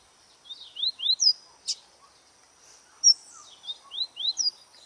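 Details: Rusty-collared seedeater warming up to sing: groups of high, upslurred whistled notes in short runs of two or three, with single sharp clicks between, in a quiet setting.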